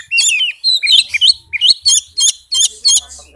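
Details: Oriental magpie-robin song in a fast, tightly packed style, used as a lure to get reluctant magpie-robins to sing. Rapid bursts of high chattering, trilled and slurred notes come about three per second, with short gaps between them.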